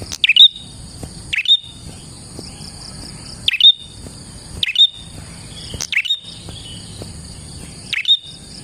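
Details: Prinia in lively song for luring prinias: repeated abrupt down-swept chirps ending in level whistles, given at irregular one- to two-second intervals, with a continuous high-pitched background tone.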